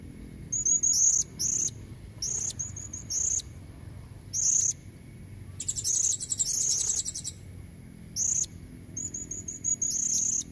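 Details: Female blue-crowned hanging parrot luring red-necked males: repeated clusters of sharp, very high squeaky chirps every second or so, with one longer rapid chattering burst midway.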